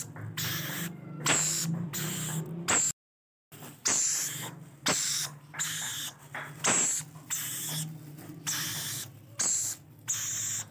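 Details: Begging rainbow lorikeet babies during feeding, giving rough rasping bursts of under a second, roughly every second, over a steady low humming throb, with one brief total silence early on.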